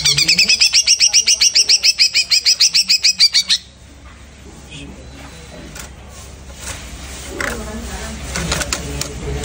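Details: Greater green leafbird just after its moult, singing a fast burst of about twenty sharp, ringing notes that run evenly for three and a half seconds and then stop. Low background noise and faint clicks follow.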